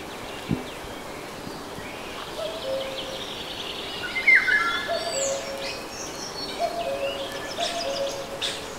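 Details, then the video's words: Common cuckoo in Debrecen's Nagyerdő forest in rain gives a soft, low, falling two-note 'cu-coo' four times about a second apart, over busy songbird chatter including golden oriole and dripping raindrops. "Erdő, sárgarigó, kakukk és esőcseppek hangjai"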